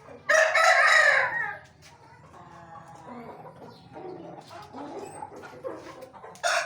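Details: Aseel rooster crowing: a short, loud, harsh harmonic burst lasting just over a second, followed by quieter scattered clucks and faint background noises.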